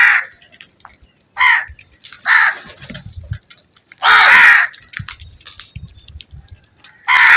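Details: Crow calling repeatedly: a series of hoarse, raspy caws at irregular intervals, the longest and loudest coming about halfway through, with quiet gaps between.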